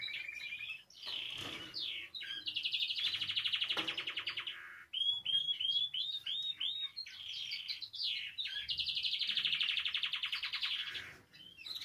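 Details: Canary in song, meant to prompt other canaries to sing: long fast rolling trills alternate with quick upslurred whistled notes, repeated across the phrase.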